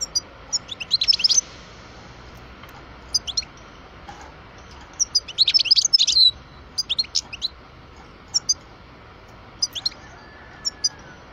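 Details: Caged parva European goldfinch aged twelve producing spaced groups of quick high twitters and chirps separated by short quiet gaps, with steady low background noise.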